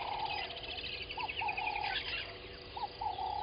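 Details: At dawn on a South African waterhole, Gowrie dam in Djuma Game Reserve, an Egyptian goose pair gives a few quick nasal honks in two small clusters, while other birds twitter faintly above.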